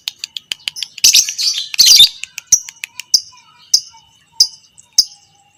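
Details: Fighter lovebird giving long chattering calls used to train other lovebirds: sharp high chips repeated, two loud shrill squawking bursts, then single piercing chirps roughly every half second to second.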